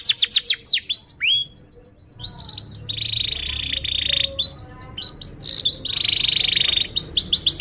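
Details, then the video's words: Atlantic canary training song: quick swooping notes, a pause, then long buzzy rattling trills interspersed with short rising chirps. "kenari gacor panjang Cuit Cuit EMOSI, Pancingan Kenari Paud Belajar Bunyi"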